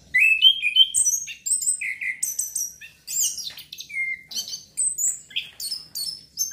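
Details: Orange-headed thrush song used as playback to stimulate breeding drive and make birds sing: a rich, varied stream of high whistles, slurred notes and sharp chirps in rapid phrases with brief pauses.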